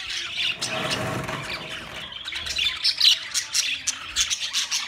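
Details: Budgie sounds from 13 March 2024: a low muffled rumble at first, then rising high chirps and short whistled notes becoming clearer and more rhythmic.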